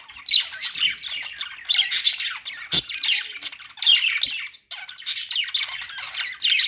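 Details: Group of budgerigars chattering: rasping, buzzy warbles rising and falling in bursts separated by short quieter gaps.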